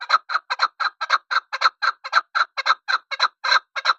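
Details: Chukar partridge calling a steady run of rough, clucking chuk-chuk notes, mostly paired pulses, repeated about twice a second with no other sounds.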